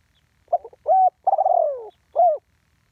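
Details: Single phrase of a spotted dove's one-kuk call, recorded live: a clipped double note, then a smooth coo, a longer throaty rolling coo gliding down, and a last rounded coo, with no other sounds.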